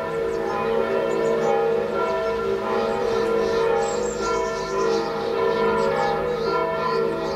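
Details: Church bells ring steadily with layered, sustained metallic tones and a rhythmic peal; no animal voice stands out.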